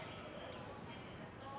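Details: Warbling white-eye, líu chòe song style, recorded without background noise: one thin, very high note that slides gently downward and fades, against a quiet background.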